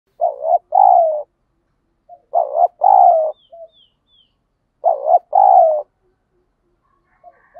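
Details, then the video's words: Spotted dove kept for fighting and lure training, cooing in repeated phrases roughly every two and a half seconds: a short throbbing note followed by a longer, slightly falling coo. Faint chirps are heard in between. "chim cu gáy thúc đấu, tiếng chim cu gáy kích bổi rất lẹ nổi, tiếng chim cu gáy luyện mồi hàng ngày"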